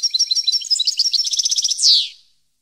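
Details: European goldfinch song: a fast run of bright, liquid twittering notes that speeds into a dense trill and finishes with a loud, descending buzzy slur.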